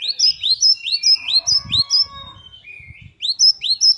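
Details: Great tit singing in rich, varied full song: rapid series of sharp, rising, hooked whistled notes, about two to three per second, a brief lower steady note, then the bright phrase resumes; faint low rumble underneath.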